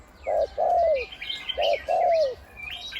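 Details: Decoy spotted dove with a big voice, one 'kuk' note and 'khu ang' cooing almost throughout, used for ground, branch and trap decoying; two pairs of deep hooting coos, each second note longer and falling, faint higher chirps behind.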